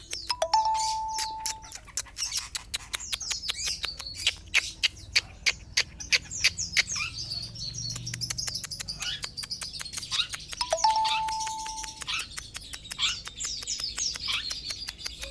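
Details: Long-tailed shrike from Sapudi singing a scratchy, chattering high warble mixed with many sharp clicks. A steady whistled tone sounds twice, near the start and about ten seconds in.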